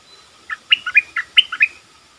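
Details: Lure Streak-eared bulbul drawing in wild birds with 'sap dok' and 'rik' calling: seven crisp, bouncy chirps delivered in quick succession over about one second, with faint background hiss.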